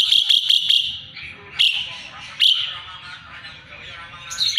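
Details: Asian pied starling in full voice as a song model for magpie-robins: a fast string of sharp grating notes, then separate harsh loud bursts.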